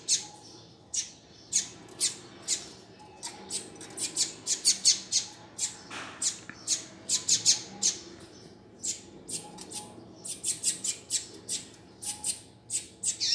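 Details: Double-collared seedeater calling, used as a teacher recording to warm up and stimulate a male: sharp, very high chip notes repeated irregularly, several per second at times, in an indoor setting.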